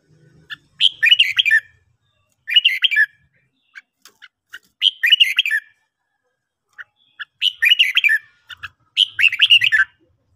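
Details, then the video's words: Red-whiskered bulbul singing in the morning during training: short bright warbled phrases of rapid descending whistled notes, five bursts roughly every two seconds with brief chips between, otherwise quiet. "luyện chào mào hót buổi sáng"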